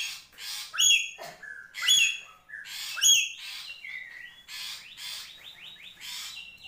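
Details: A Papuan black-capped lory utters three loud, ringing squawks about a second apart, then a softer run of short rising whistles and harsh chatter.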